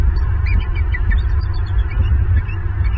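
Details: Night-time live camera recording of a bald eagle pair sharing a branch at their Southwest Florida nest. Rapid, twittering high chirps repeat throughout, partly masked by a heavy low-pitched hum.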